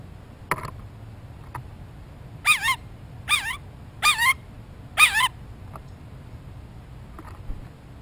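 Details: Blue jay calling very close to the microphone while looking for a peanut: four loud, wavering, nasal notes with rising-and-falling harmonics, spaced about every 0.8 seconds, with a few faint clicks before and after.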